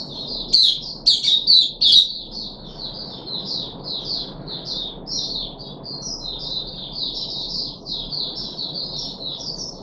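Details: Captive puff-backed bulbul recorded 14 July 2021, third day after deworming: a few sharp clicking notes open, then a long unbroken run of rapid high chirps chattering steadily for several seconds over faint background hum.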